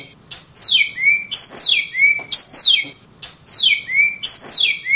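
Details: Oriental magpie-robin (kacer) singing: loud, clear whistled notes that slide downward from high to mid pitch, delivered in bursts roughly once a second, with a short pause midway.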